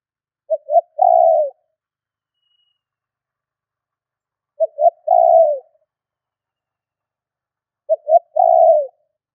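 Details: Spotted dove calling to provoke and lure wild birds: three phrases about every 3.7 seconds, each two brief low coos followed by a longer rolling, slightly falling coo, with silent gaps and no other sounds.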